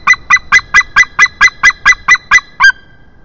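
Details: At the nest in Estonia, an adult male White-tailed Eagle calls as a juvenile lands close by, 22 March 2021, late morning: eleven loud, evenly spaced yelps, about four per second, ending in one slightly longer note.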